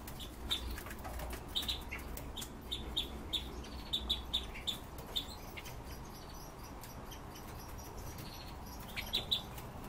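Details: Red-billed leiothrixes kept as household birds utter sharp, high, clipped chirps spaced about half a second to a second apart, a pause midway, then a final pair, against constant low-pitched room noise.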